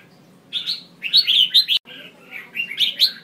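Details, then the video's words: Female red-whiskered bulbul calls used to trigger males to sing: bursts of bright, warbling chirps sliding around mid-high pitch, in three phrases separated by short pauses, with a faint low hum underneath. "Tiếng chào mào mái mới nhất kích trống cực nhạy/kích bổi căng lửa hót sung/kích là hót ngay"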